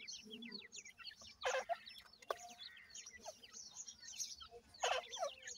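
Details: Captive ring-necked pheasant chicks at feeding time, many birds giving shrill descending peeps in a dense chorus, with two brief bursts of louder rustling and a single sharp tap.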